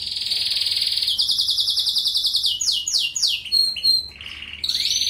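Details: European goldfinch singing, played as a tutor for canaries; a sustained rolling trill steps up in pitch, then breaks into fast descending slurred notes, brief twitters and another steady buzzing roll.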